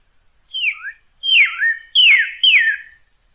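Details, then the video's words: Northern cardinal song used to teach caged birds to sing: four clear whistled phrases, each a loud note sliding steeply downward, with a short separate rising note after the first and second. "CARDENAL ROJO: ENSEÑA A TU AVE A CANTAR CON ESTE AUDIO"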